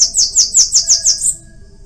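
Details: Cambacica, the Bananaquit: a short, very high trill of about seven rapid buzzy pulses ending on a thin rising note.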